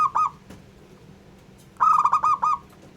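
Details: Local Indonesian zebra dove, kept as a training bird to provoke other doves, giving a stuttering run of low cooing notes after one short opening coo.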